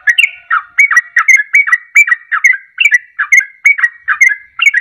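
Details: Sooty-headed bulbul 'ropelan' song used to provoke other birds into singing; fast, continuous bubbly whistled doublets, about two to three per second, bright and clear.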